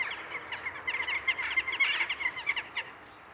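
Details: Evening gathering of jackdaws at Ringenberg, a daily sky ritual: many birds calling together in quick, clipped notes, several each second, building to a busy burst of chatter before easing off.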